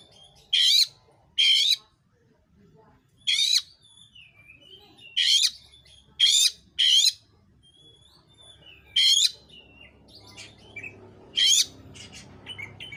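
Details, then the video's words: Oriental magpie-robin in lively voice, meant to provoke other magpie-robins into singing; a series of loud grating bursts at irregular intervals with thin whistles between, and rising low background noise toward the end. "Kacer manapun BAKALAN AUTOPLAY NARUNG burung kacer gacor"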